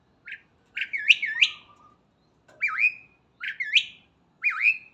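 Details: Starling singing loudly in the morning: a run of rising and twisting whistled phrases, each with a dip and upward sweep, repeated five times in quick succession, with a flat lower whistle between.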